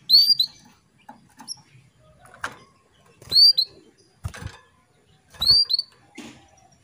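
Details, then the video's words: Female canary calling the male to bring him into breeding readiness; bright rising whistled calls come every second or two, mixed with soft clicks and rustling. "PANCINGAN KENARI BETINA MEMANGGIL JANTAN"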